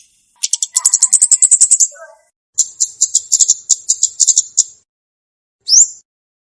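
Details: Olive-backed tailorbird used as a lure and training recording: long, fast, very high trilled series of even notes, repeated twice, ending with a single sharp upslurred whistle.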